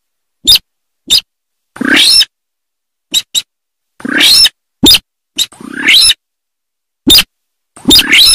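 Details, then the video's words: Sintar from rice fields giving short sharp clicks mixed with longer grating, rasping calls, irregularly spaced across the recording in dead silence. "Suara Asli Burung Sintar Sawah"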